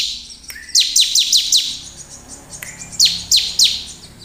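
Bar-winged prinia giving a quick run of five sharp, high, down-slurred notes, then three more after a short pause, against a quiet background.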